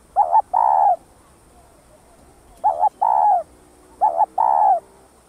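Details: Spotted dove, a dove also known locally as cu đất, cooing to stimulate other birds: paired coos, a short note then a longer descending one, repeated three times about every one and a half seconds, in quiet surroundings.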